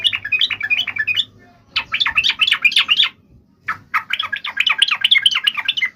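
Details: Yellow-vented bulbul in a fighting song meant to make other bulbuls answer. It gives three bursts of bubbly, chattering notes that jump up and down, separated by short pauses, with a faint low hum in the background.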